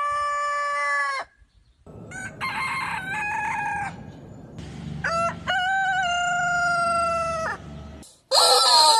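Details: Crowing roosters from a multi-breed collection: a clear, even crow lasting a second, then a stepped, multi-note crow over a low rumbling background, and a long, level, drawn-out crow held about two seconds. A sudden harsh call ends it.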